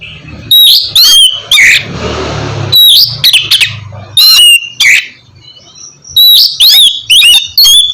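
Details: Oriental magpie-robin (kacer) in loud ngeplong-style song, played to prompt birds that are reluctant to sing: bursts of high whistled and buzzy notes in short phrases with gaps between them, and a low rumble in the middle.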